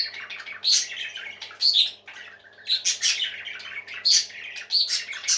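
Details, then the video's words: Cheerful parakeets sing in a tight cluster of chirps and buzzy warbles, loud bursts about once a second with short quieter gaps between. "Happy Parakeets Singing For Lonely Birds"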